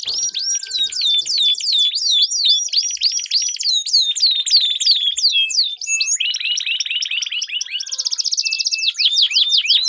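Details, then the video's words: Canary song used as a lure for training competition birds, with two birds singing in a duel: fast rolling trills of repeated upswept and downswept whistles, several rapid phrase changes and a long sustained roll. "Duel Burung Kenari Suara Merdu Ngerol Panjang"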